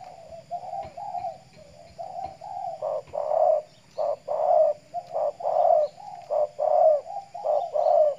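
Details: Spotted dove kept as a decoy bird in Riau Islands, Indonesia, set out in morning sunshine to stay healthy; soft hoarse coos repeat in a steady run, starting quiet then growing louder, with stronger rolling phrases in the second half.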